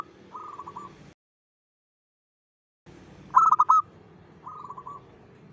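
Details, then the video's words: Local zebra dove singing at dawn, used as a lure sound: a soft rolling coo, a silent gap, then a loud staccato burst of quick pulsed coos followed by a softer trilled phrase. "PANCINGAN SUARA PERKUTUT LOKAL GACOR SUBUH"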